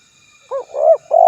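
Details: Spotted dove calling to a rival, recorded as a lure: a short hollow coo, a swelling louder note, then a long coo cut off at the end.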